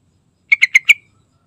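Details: Lure recording of a vigorously singing sooty-headed bulbul: a single brisk phrase of four evenly spaced, rich chirping notes closing with a brief trailing tone, no other sounds.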